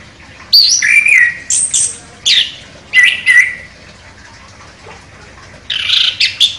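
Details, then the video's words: Champion contest chestnut-capped thrush, locally anis kembang, giving a sharp, varied song: loud whistled and buzzy phrases repeated in quick bursts, with short pauses and a final cluster of rapid notes. "ANIS KEMBANG JUARA NEMBAK TAJAM"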